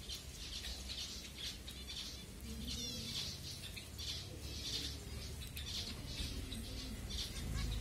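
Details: Several finches calling during food time at Kumarapuram Thoppur in Kanyakumari, Tamil Nadu, India, captured with a Redmi Note 7: bright, high chirps repeated about once a second, with occasional fluttering and a low background hum.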